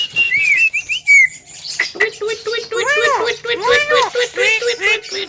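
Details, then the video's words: Javan myna singing: wavering whistled notes, a sharp squeak, then a rolling sequence of arched, ringing nasal calls over repeated low buzzy pulses. "BURUNG JALAK KEBO TERGACOR SLALU MEMIKAT PERHATIAN"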